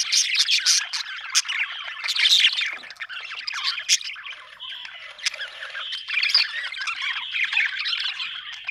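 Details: Happy budgie chirps: lively squawky chatter with sharp chips at first, easing into a smoother, rolling warble in the second half.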